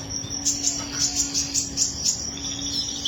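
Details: Canary singing a rhythmic series of high sharp chirps, roughly three per second, with a softer trill at the end and a constant low hum behind.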